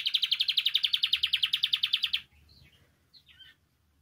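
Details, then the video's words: Singing canary meant to encourage other canaries to sing: a rapid, even pulsed trill of about a dozen notes per second for two seconds, then a few faint, thin chirps. "Canario Cantando. (Ideal para ESTIMULAR canto de canarios)"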